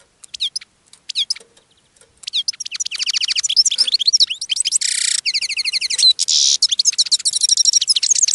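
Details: Caged European goldfinch singing while attracting other goldfinches: a loud, fast, continuous twittering song of rapid high chirps and tinkling notes, with brief rasping buzzy bursts mixed in, building steadily after a few scattered opening calls.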